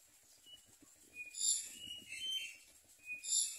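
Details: Nestling common mynas begging for food with mouths open give rough, hissy, high squeals in short surges, one strong burst then a softer one and another near the end, with brief thin whistled notes in between.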